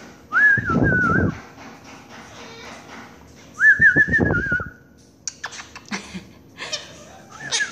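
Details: Pet Quaker parakeet calling 'mommy' to its owner indoors, repeating a drawn-out whistled note twice amid low rustling thumps, followed by brief chattery syllables and a rising whistle.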